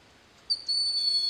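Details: A Broad-winged Hawk perched on a snag at Sugar Hill State Forest, Watkins Glen, New York, calls with a thin, high, steady, piercing whistle while listening to another Broad-winged Hawk and a Red-shouldered Hawk, over faint hiss.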